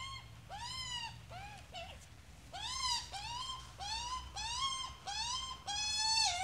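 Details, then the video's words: Australian magpie, an adult accompanied by a chick: about nine rasping, harmonic calls, most rising then levelling off, repeated at roughly half-second intervals, the last call long and loud. "Australia magpie and chick"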